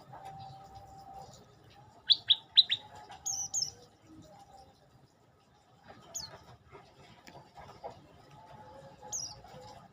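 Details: Olive-backed tailorbird: three loud, sharply falling notes in quick succession, a pair of higher notes after, then sparse high chips, with a steady faint low tone in the background.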